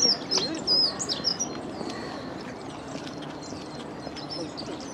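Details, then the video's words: Dunnock singing at close range beside the Long Water: a brief, high, thin warbling jingle of quick notes, then quiet, over steady outdoor hiss with a few faint distant chirps. "Dunnock singing"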